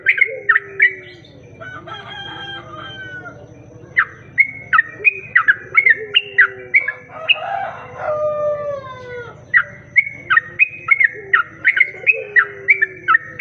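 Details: Sooty-headed bulbul song used as a lure to attract other bulbuls: bright, bubbly whistled phrases repeated in quick bursts. Midway there is a louder, harsher drawn-out call with falling notes, possibly a rooster, over a steady low pulsing hum.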